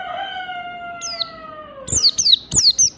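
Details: Mountain white-eye from Merapi in "ngalas standar" song: a drawn-out tone slowly dropping in pitch, followed by a rapid string of thin, high, downslurred chirps.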